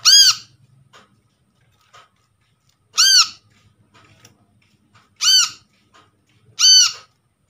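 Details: Brown-throated sunbird, a caught bird, calling as a lure for other birds: four single, piercing, arched squeaks spaced one to three seconds apart, with faint ticks and low rustling in between.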